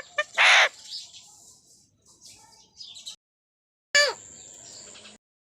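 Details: A pet Indian parrot kept uncaged as a family member, a talking bird, gives two loud, harsh squawks: one at the start and one after a pause, with quiet, scratchy chatter in between.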